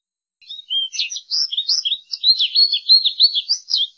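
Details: Bright, rambling American goldfinch song: high twittering notes tumble rapidly, over three per second, in a continuous musical stream with little change in pitch range.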